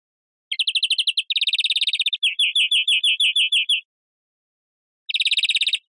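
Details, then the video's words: Varied European greenfinch song: a fast trill, a denser buzzy trill, then slower spaced chirping notes. After a short silence, one more rapid trill follows. "Carduelis Chloris Verderon song"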